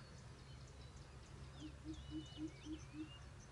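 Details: A coucal in Tuyen Quang, Vietnam, early in the 2024 season, approaching a trapper's lure near a stream from its bamboo territory across the water, gives a quick run of six deep, hollow hoots, about four per second; thin whistles from other birds above, low rumble.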